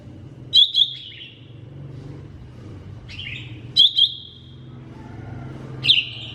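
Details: Lesser green leafbird singing: sparse, loud double chirps that slide into a level whistled note, repeated about every three seconds over a steady low hum.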